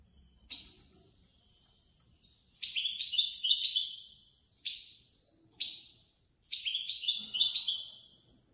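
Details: Prize-winning European goldfinch, third place in a Casablanca bird-lovers' association competition, delivering a string of short, bright twittering phrases. Sharp notes lead into rapid high jingling runs with brief pauses between them.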